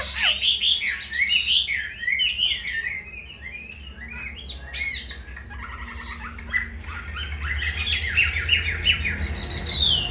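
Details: A caged Chinese hwamei just out of moult pours out a long, varied song of warbling whistles and swooping notes, with quieter rapid chattering passages between louder phrases.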